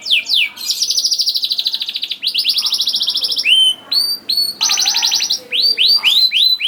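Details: Young canaries are meant to be drawn into singing by this canary song: long rapid rattling trills alternating with short bright whistled notes and rising, hooked sweeps.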